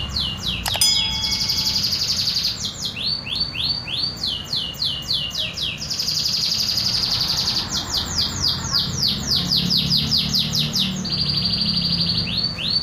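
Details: Local canary singing its pure original song with no learned fill-ins: bright rising sweeps give way to fast buzzy rolls and repeated slurred notes, several phrases in a row, with faint low background hum.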